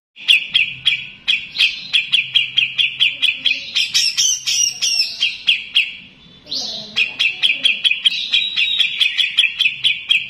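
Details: Training recording of a grey-cheeked bulbul: steady stream of sharp, ticking chirps at a quick even pace, interrupted midway by a scratchy, chattering trill and a short quiet gap, then the clipped chirps resume; soft low hum in the background.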